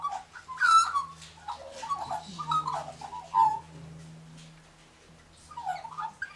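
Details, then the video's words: Australian magpie warbling near a group of pink galahs: rich, fluting mid-pitched phrases with gurgling notes, broken by pauses, with a low steady hum underneath. "Australian Magpie Warbles with Pink Galahs"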